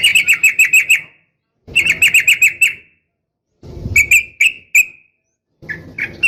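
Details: Calls of a female yellow-vented bulbul to attract a male: rapid bursts of six to eight clipped chirps, then slower spaced single notes, with faint background rustle between phrases.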